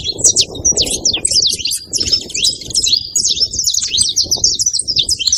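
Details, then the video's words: Saffron finches calling at a feeding spot: a busy stream of sharp, high chips and trilled twitters run together continuously, over soft low background noise. "canário da terra na seva fazendo barulho"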